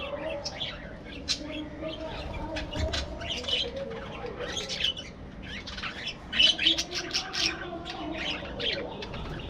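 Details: Budgerigars kept as a breeding flock in an aviary produce high, scratchy chirps and squawky warbles, many birds overlapping, with a brief soft flutter partway through.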